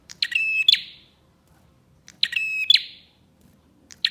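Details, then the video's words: Bar-winged prinia song played as a lure for other prinias, the phrase given twice about two seconds apart: a clicking onset, a level buzzy trill, and a sharp closing note, with short chips between. "PANCINGAN BURUNG PRENJAK GACOR"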